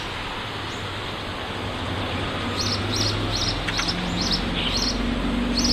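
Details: House sparrow giving short, high chirps, each a quick bright note, repeated irregularly in a loose series of about nine, over a steady low rumble of traffic.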